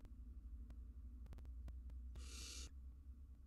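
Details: Wild barn owl nestlings preening one another inside a nest box: a single rasping hiss of about half a second, with scattered sharp clicks and a heavy low rumble underneath.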